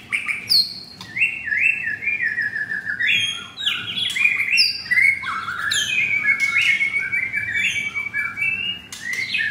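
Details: Caged Oriental magpie-robin in Jakarta, Indonesia, giving loud, varied song: clear whistled phrases, rising and falling slurs, sharp high notes and rapid chattering sequences, continuous throughout, with a quiet background.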